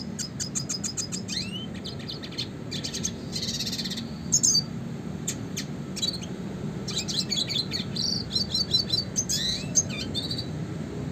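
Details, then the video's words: Classic red siskin singing a long, rapid, twittering song of high buzzy trills, sharp ticks and upslurred whistles for songbird training, over a low steady hum. "kicauan suara burung red siskin klasik gacor untuk pancingan dan masteran burung berkicau"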